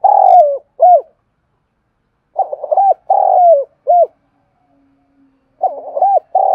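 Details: Calling Spotted dove from Đồng Nai, Vietnam, used for luring doves. Loud, close coo phrases, a trembling lead-in followed by a long falling note and a short clipped coo, repeated three times in quick succession over a silent background.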